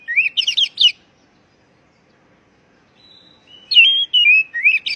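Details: Calling white-rumped shama, used to rouse a stressed bird that stopped singing: a quick cluster of sharp zigzag chirps, a pause, then a thin high whistle and rising, wavering whistled phrases ending in chirps.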